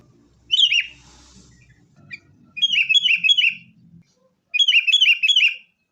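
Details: Sooty-headed bulbul song used as a lure for caged birds: bubbly phrases of three or four quick falling whistled notes, repeated in separate bursts, over low background rumble.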